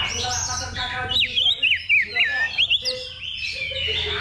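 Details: At a level-two simulated song contest for practice, an Oriental magpie-robin gives crisp falling whistled notes in a rapid series, about four per second, over a low background hum and murmur.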